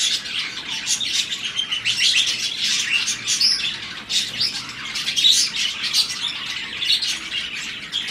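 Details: Pairs of budgies mating during breeding season keep up long, uneven chattering with buzzy warbles and squeaky chirps, dipping briefly near four seconds.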